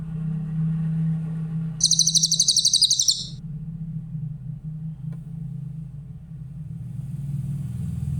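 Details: Grey-headed canary-flycatcher with a clear voice, recorded as a tutor track for songbirds: one high, rapid trill of evenly spaced notes lasting about a second and a half, over a steady low hum.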